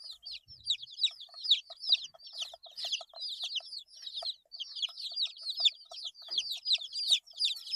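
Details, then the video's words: Young chicks, eight days old, chirping busily: bright descending peeps about two or three per second, many birds overlapping, quiet background. "Chicks Chirping Sounds - Baby Chicken Sounds"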